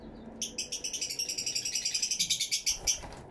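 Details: Several Fischer's lovebirds in an aviary, caught with a camera and two external microphones, keep up a steady rapid stream of shrill, harsh twitters, around six or seven notes per second for nearly three seconds.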